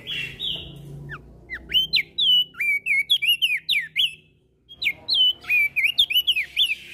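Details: Javan grey-throated white-eye singing actively in the loud ngeplong style, trading song with other birds. A clear sharp whistled phrase of fast swooping, up-and-down notes repeats in two bursts after a buzzy descending series, with a short pause between them.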